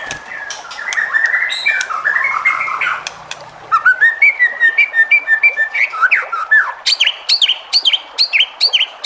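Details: White-rumped shama song to goad other shamas into singing: soft warbling, then a run of clear whistled notes and a long series of about ten loud, sharp repeated chips at the end.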